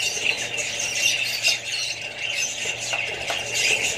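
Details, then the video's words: Australian budgies kept alongside other birds and babies, giving a busy stream of shrill squeals and chirps that overlap constantly, with a faint low hum in the background. "australian budgies parrots"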